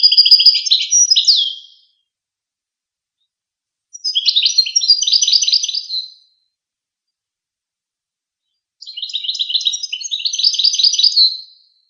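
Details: Goldfinch singing long chattering phrases, each a rapid continuous series of high-pitched twittering notes about two seconds long, three phrases separated by pauses of a few seconds.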